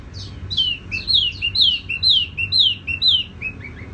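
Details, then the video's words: Singing tiểu mi songbird. A steady run of bright, high whistled notes, each sliding downward, repeated about twice a second in a regular rhythm. "Chim tiểu mi hót tiếng vang dịu"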